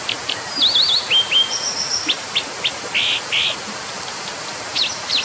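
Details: Brown dipper singing a varied, high-pitched phrase: rapid trilled wavering notes, flat whistles, then fuller rounded notes, all over a constant background hiss.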